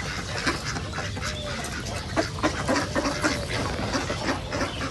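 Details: Wild ducks calling in a reserve: a fast stream of rough quacks and nasal squawks from several birds, overlapping irregularly, set against a constant low rumbling background.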